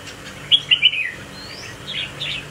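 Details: Spike-crested red-whiskered bulbul in swaying display. A quick run of three or four sharp, bright whistled notes comes early, followed by softer, blurred warbling over a low hum.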